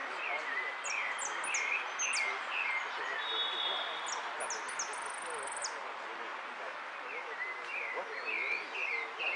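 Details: A finch competing at a song contest in Monte Grande on 30 Oct 2016, first place in the yellow category, sings a rapid, varied run of high chirps, trills and thin whistles with brief pauses, over background hiss and faint voices.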